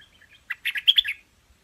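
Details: Hwamei delivering a short, lively phrase of clear, varied whistled chirps, opening with a single note and then a fast cluster of louder syllables.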